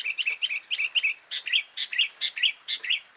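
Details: Sooty-headed bulbul isian song, a continuous string of quick bubbly chirps with twisting, slurred tops, delivered in an uneven rhythm of about two or three notes a second against a clean, quiet background.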